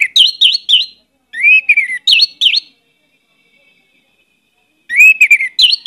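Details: Hard-singing Orange-headed thrush lure song rich in varied phrases: repeated looping chirps mixed with falling whistled slurs, delivered in bursts separated by a two-second pause.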